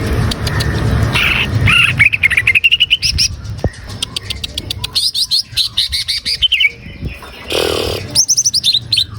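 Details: Green leafbird song, played to coax a captive bird into singing quickly and persistently: rapid runs of short, sharp whistled notes, many rising in quick steps, broken by chattering bursts and brief pauses, over a low steady hum.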